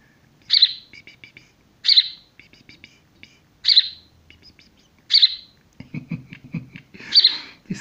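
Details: A young, barely feathered House Sparrow that was found and is being hand-raised gives loud, sharp chirps every one to two seconds with softer chirps between. Its parents never returned despite a long wait from 30–40 m. Its carer talks quietly near the end.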